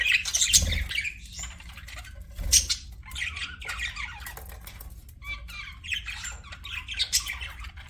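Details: Pet budgies giving loud rasping squawks at the start, then softer scattered chirps and warbles, with a couple of low thumps.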